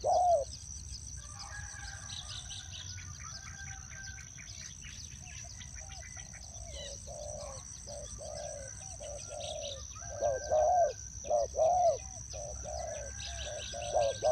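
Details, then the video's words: Decoy spotted dove at a ground trap, soft cooing notes starting faint and growing louder toward the end, mixed with chirps from other birds and a constant high-pitched drone outdoors. "นกเขาใหญ่สายต่อดิน,BirdTrap,The Sound Of the dove"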